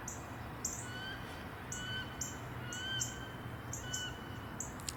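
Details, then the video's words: Wood duck heard on a live outdoor broadcast, possibly calling to three ducks seen flying. High, thin rising squeals repeat roughly once a second over a steady broad hiss and low hum. "I believe we're hearing a wood duck. And"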